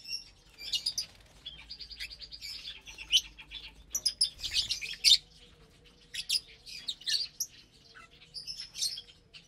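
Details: Several lovebirds at morning mealtime on Saturday, 30 April 2022, eating vegetables and seeds, give high, scratchy chirps in uneven bursts, with louder squeaky clusters around the middle and quieter twittering between.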